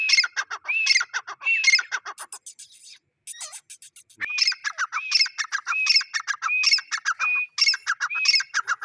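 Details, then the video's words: A male grey francolin gives loud, harsh, rhythmic phrases, each with a rising whistled note, about once a second, broken by a brief pause and a few scratchy sounds. "Dakhni teetar sound -Teetar voice -Gray francoline teetar sound - Male teetar awaz"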